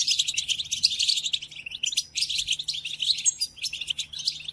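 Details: Goldfinch song, European, used as a training recording for caged birds during moult: lively, high chattering twitter with liquid notes and short buzzy runs, steady hum in background.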